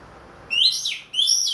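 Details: Caged orange-headed thrush of the Ring Kresek type, singing again after finishing its moult, in a clear ringing 'plong' style: two loud, rich whistled phrases, the first sliding downward, the second rising then falling, over quiet background.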